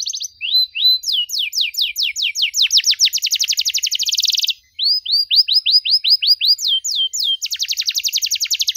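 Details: Canary singing gacor with long dor rolls and a cengkok mewah pattern, a model for young canaries: slurred whistles accelerate into a fast buzzy trill, then after a brief gap, rising slurs lead into another rapid trill.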